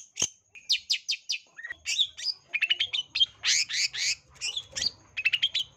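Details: Long-tailed shrike, a lively full-of-mimicry lure song to provoke a fighting display: rapid bursts of buzzy, scratchy high notes and short whistles in quick series, with brief pauses, over faint low hum.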